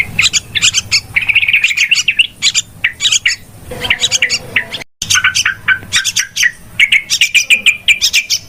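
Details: Noisy calling of yellow-vented bulbuls, as used to attract birds when trapping; rapid chirps and trilled bubbling phrases in overlapping bursts, with a short break near the middle.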